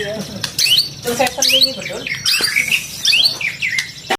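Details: White-rumped shama after two moults, giving quick upward-sweeping whistles and squawky chips in short bursts, with some lower clucking notes and background noise between phrases.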